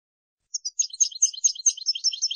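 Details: Brief burst of European goldfinch song intended for tutoring young birds: after half a second of silence, high, liquid twittering notes tumble rapidly over a clean, quiet background.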